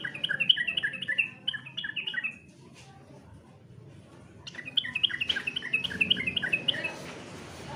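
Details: Sooty-headed bulbul competition song in two bursts: fast chattering runs of bright, bouncing notes, each about two seconds long, separated by a quiet pause with a few soft clicks.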